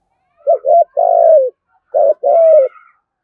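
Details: Spotted dove giving 'thúc' contest calls and 'gù' coos in a native-style voice, used to lure wild doves for trapping; two low cooing phrases, each of two short rising notes then a long note falling away at the end.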